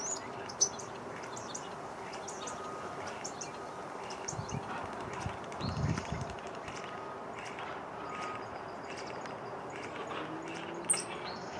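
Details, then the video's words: Common starling recorded May 5, 2023 in Folsom, California, near Folsom Lake, giving a quiet, rambling song of scattered clicks, short high whistles and rattles, with steady background hiss and a low thump midway. "European Starling Call Song"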